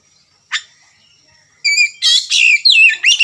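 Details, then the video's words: Kacer (oriental magpie-robin) starting ngerewek singing: one sharp note, a pause, then loud, rapid high warbles and rasping chatter packed closely together. "Pancingan kacer berkicau, memulai ngerewek kicau"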